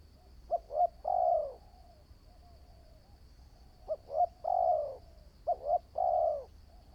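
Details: Newly trained spotted dove decoy used for trapping, cooing three evenly spaced phrases: paired short notes leading into a long, full, gently falling coo, with near silence between phrases.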